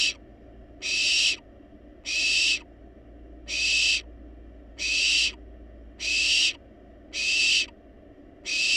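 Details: Wild barn owl chicks in a monitored nest box demanding food despite being well fed: harsh, hissing screeches about half a second long, repeated roughly every second, over steady low hum.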